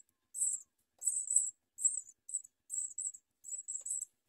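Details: Baby house sparrows at feeding time, nipping at their mother; shrill, high scratchy chirps in quick clusters of one to three, several per second, with no other sounds.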